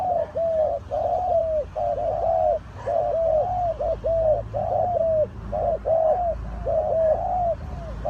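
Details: Dove calling in a bird-trapping setting, a steady run of low, hollow coos in short two-part phrases, each a brief note then a longer slurred one, repeating about every half second with faint background hum.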